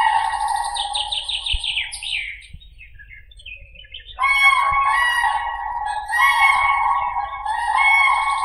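Loud, rolling, bugle-like trumpeting from common cranes, a brief wavering opening, then a sustained burst of ringing calls after a short pause.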